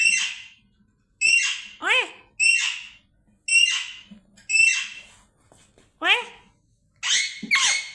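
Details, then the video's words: Parrot imitating the exclamation "oay oay", repeating harsh, nasal squawked syllables about once a second, several with falling whistled slides, amid a person's talk to the bird. "parrot Making Sound oay oay"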